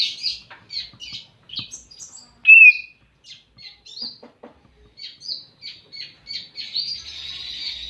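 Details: Greater green leafbird singing to call a rival: a quick, varied string of chirps, clipped twitters and short buzzy notes, broken by one loud, slurred whistle midway, and ending in a rapid chattering run.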